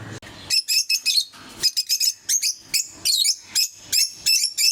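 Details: Several pet lovebirds of various colour mutations calling together; a rapid, dense series of shrill, piercing chirps and squeaks, repeated several times a second in uneven bursts, with no other clear sounds.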